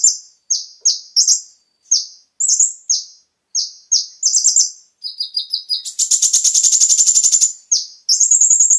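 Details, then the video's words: Konin song used as a lure to get captive birds singing, full of varied fillers: short high whistled notes and downslurs in quick bursts, then a dense buzzy rattling trill lasting about two seconds, ending in clipped rising notes. "PANCINGAN suara burung KONIN agar langsung GACOR dan ikut NEMBAK FULL ISIAN"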